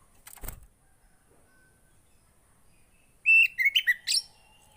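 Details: Javan white-eye song used to prompt a silent caged bird to sing: a quick burst of about five high, slurred twittering notes after a brief knock and a long quiet gap.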